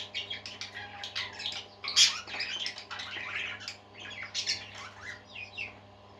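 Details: A flock of parakeets singing: rolling warbled chatter with harsh squawks and quick chirps, one loud burst near the middle, steady low hum in the room.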